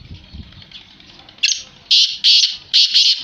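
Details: Black francolin (kala teetar) calling: faint chirps at first, then a sudden loud, harsh grating burst followed by three rough, rasping notes in quick succession.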